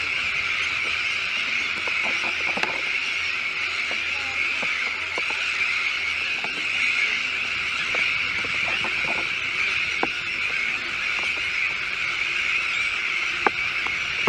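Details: Sandwich terns crowd a breeding colony with chicks on a newly built shell island at De Putten, Netherlands, giving a relentless, harsh, high-pitched chorus with many scattered clicks over fourteen seconds.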